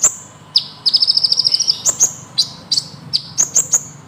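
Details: Van Hasselt's sunbird (kolibri ninja) in lively ngeroll song, used as a tutor recording: high, sharp chirps, then a fast, even trill of about a dozen notes, followed by scattered bright tweets.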